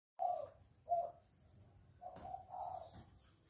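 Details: Spotted dove calling actively inside a jungle fowl breeding cage: a few short, low, hollow coos, fairly faint, with quiet gaps between them and a low background hum.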